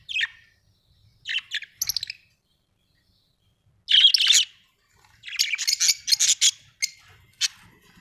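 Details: Budgerigars kept as pets at home, calling in short bursts of bright chirps and warbles separated by quiet gaps, with one louder buzzy burst near the middle.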